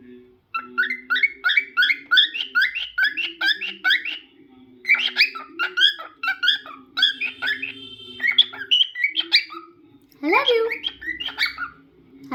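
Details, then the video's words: Singing pet cockatiel giving a long run of quick, repeated chirped notes that rise and fall, sometimes doubled, with brief pauses and a few drawn whistles near the end, over a faint low hum. "Cockatiel Crazy Singing Bird"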